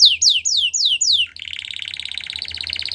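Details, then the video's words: Canary song meant to set other canaries singing: five loud falling whistled notes followed by a rapid rattling trill. "Canary Seducing Friends To Sing"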